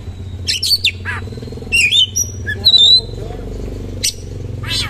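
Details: Kacer in vigorous coarse 'roll tembak' song with lavish fill. It gives twangy downslurs, a long thin whistle and warbled high notes, then harsh buzzy bursts, against a steady low hum.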